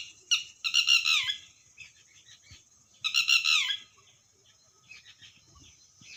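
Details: Red-wattled lapwing calling in two strident bursts about three seconds apart, each a quick run of harsh, descending, ringing notes, followed by softer scattered notes and faint rustling.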